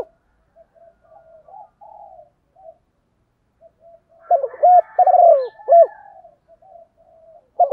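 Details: Lure spotted dove singing 'thổ'-style cooing mixed with 'thúc đấu' to make wild doves call and come in faster; quiet scattered murmurs lead to a loud burst of several hoarse, rolling coos, then soft notes again.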